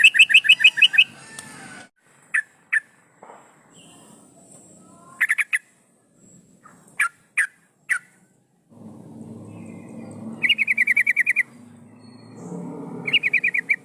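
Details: Female yellow-vented bulbul in breeding condition calling males, used as a lure: fast bursts of sharp, repeated chattering notes, each burst about a second long, separated by pauses with scattered single clicks and a soft low background hum.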